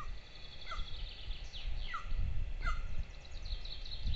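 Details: At a nest in Lahemaa, Estonia, filmed by nest camera on 22 June 2024, two golden eagle chicks are fed breakfast, giving sharp descending chirps about every half second, with high bird twitter behind and steady low rumble.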